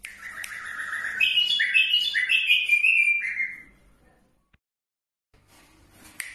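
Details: Bulbul song from Iraq: a lively phrase of quick, jumbled whistled notes stepping up and down, lasting about three seconds, then fading into near silence with a faint click near the end.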